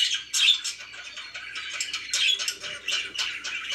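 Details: Pet budgerigars in quick buzzy chatter, sharp squeaky notes recurring about twice a second amid a steady overlapping warble.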